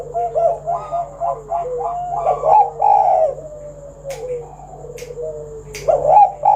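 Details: Lure song of a spotted dove in 'kuk 1' style, to set other doves singing: rapid series of short stepped coos leading into longer sliding notes and a loud final coo, with a few sharp clicks and a steady hum.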